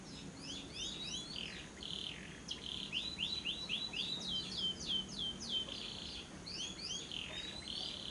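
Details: Lovebirds used as a lure recording to prompt other lovebirds to sing, day or night, in the long trilling ngekek style: rapid high chirping notes in quick bursts, some run together into trills, over a steady low hum.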